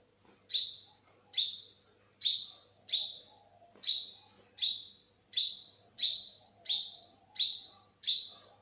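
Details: A 2021 recording of an olive-backed (yellow-bellied) sunbird: twelve crisp, high rising notes in a regular run, sometimes in closer pairs, over a calm, near-silent background.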